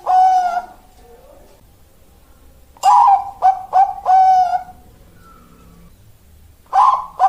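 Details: Zebra dove with a song in the style called "malaikat maut", said to suit breeding stock: mellow cooing phrases of three clipped notes ending in a long drawn, slightly wavering coo, repeated after pauses in a quiet room.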